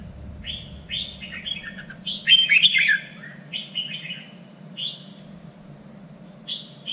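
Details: Red-whiskered bulbul singing, recorded as training material for song contests: clear whistled phrases in short bursts, a loud jumbled chattering flourish around the middle, then spaced single whistled notes, with a steady faint hum in the background.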